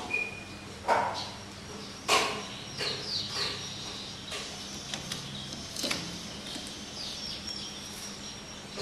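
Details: Common hill myna kept as a pet, May 2015, earnestly trying to speak with its owner; a brief high whistle, then a series of sharp clicks and rough bursts at irregular intervals over low background hum.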